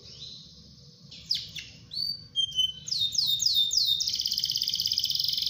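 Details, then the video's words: A singing canary, heard to coax other canaries into song, opens with scattered whistles and slurred notes, then breaks into a series of rapid descending sweeps and a fast, dense high trill. "PANCING KENARI DENGAN SUARA KENARI GACOR INI PASTI IKUT BUNYI"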